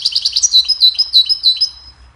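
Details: Goldfinch song used for training songbirds: a rapid series of high, liquid twitters and chirps, starting as quick evenly spaced notes and flowing into a jumbled, bright trill that fades out.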